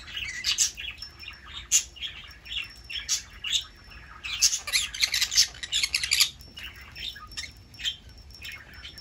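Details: Pet green-cheeked conure screaming while playing at home in Aichi, Japan: a dense run of harsh, high squawks and chirps packed closely together, with louder bursts around the middle and a faint steady high tone in the background.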